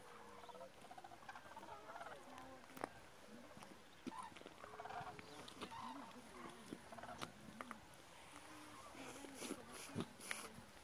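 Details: Migrating common cranes in a flock at Hortobágy, Hungary, on 21 October 2017, giving overlapping rolling, trumpeting calls in a steady chorus, with some clicks and background rustle.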